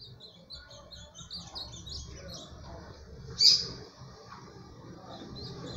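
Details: Ultramarine grosbeak singing, fifteen songs in under a minute: a run of quick, high whistled notes, then one sharp, louder note, over a low background rumble.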